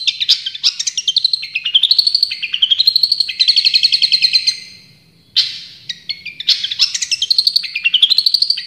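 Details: Long-tailed shrike of champion standard singing tembakan-style phrases: rising, slurred whistles strung into rapid stuttering trills. A near-silent gap of about half a second comes before the bird resumes with the same upward-sweeping, fast-repeated notes.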